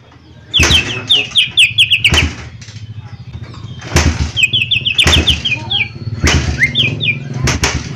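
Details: Cucak ijo mini in full song: fast runs of descending, slurred whistles, interrupted by loud fluttering and thumping sounds.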